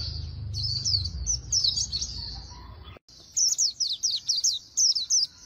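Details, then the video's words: Oriental white-eye singing the rapid 'líu đấu' style, described as having a magpie-robin voice: a stream of high, sharply slurred chirps, a brief cut, then a second run of quick notes in pulsing bursts. "Luyện Giọng Vành Khuyên Líu Đấu Siêu Nhanh | Khuyên Líu Kích Bổi | Khuyên Líu Giọng Chòe Chuẩn"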